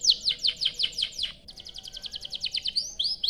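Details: Canary song as a lure for other canaries: descending chirps repeated rapidly, a short break, then a faster trill and upward-swept whistles.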